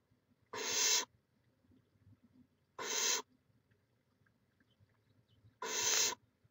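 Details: At a nest in Chula Vista, California, a barn owl on a live camera, May 2017, utters three harsh, broadband hissing screeches, each about half a second, separated by roughly two to three seconds of near silence.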